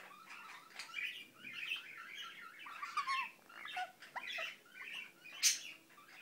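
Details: Mumbling of a pet Indian ringneck parakeet: rambling, soft chatter in uneven clusters, with small squeaky notes and one brief, sharp, louder squeak near the close.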